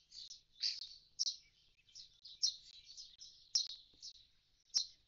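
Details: Common starling at a nest box its fledged young have left, singing a loose run of high squeaky phrases with occasional sharp clicks.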